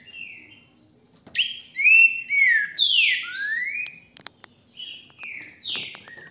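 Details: A caged green-winged saltator kept by a Brazilian breeder sings from a phone recording: a run of rich whistled notes, some sweeping down and others rising, delivered in a steady flowing phrase with faint clicks.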